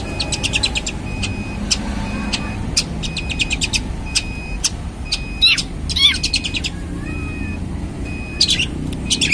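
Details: Long-tailed shrike singing: rapid runs of sharp ticking notes, thin drawn-out whistles and a few harsh rasping calls, over a constant low rumble of traffic.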